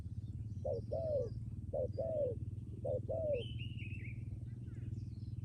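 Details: Decoy spotted dove with a firm, sustained coo: three paired phrases, each a short hoot and a longer downward-bending coo, then a pause while a small bird twitters high above a low rumbling background.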